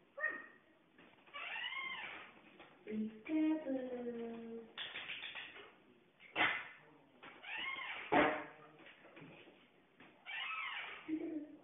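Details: Pet African grey parrot playing peekaboo indoors, producing a varied string of harmonic whistles, rising-falling squeaky notes and sharp clicks, with speech-like sounds between pauses.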